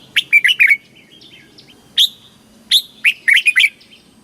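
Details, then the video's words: Caged red-whiskered bulbul from Thailand in southern master-style song, used to rouse birds and teach young ones; a quick warbled phrase, a lone sharp note, then a longer run of five rapid liquid notes. "เสียงนกกรงหัวจุก สำหรับต่อ หรือ เปิดให้นกคึก"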